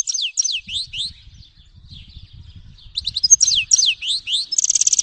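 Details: Grey-headed goldfinch giving repeated series of sharp downslurred chirps, about four per second, with a quiet gap and a closing buzzy trill; low rumbling noise behind.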